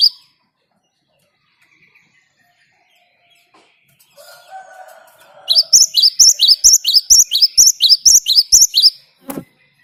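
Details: After near silence and a soft, low drawn-out tone, a Great tit bursts into a rapid rolling series of about fifteen high two-part chirps, ngalas-style song used to lure other birds to sing.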